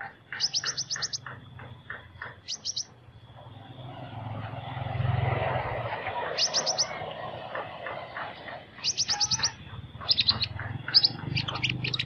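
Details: Sunbird singing with an unusual voice: very high, thin, rapid trilled bursts repeated every second or two, mixed with lower chirping notes in quick series, over a steady low rumble and hum.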